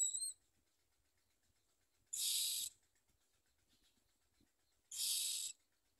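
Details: Common myna chicks begging while their mother feeds them: two harsh, hissing rasps about half a second long, nearly three seconds apart, with a short high squeak at the start and quiet between.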